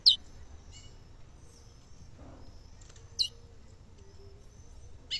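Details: Chestnut-bellied seed finch female by a river in the northeastern Brazilian sertão, caatinga country, calling to excite the male: three brief piercing high chips, about two to three seconds apart, against constant insect drone.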